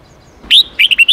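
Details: Red-whiskered bulbul song used for training young birds to sing in the wild-forest style: a loud whistled opening note followed by a quick run of short, bright, warbled notes.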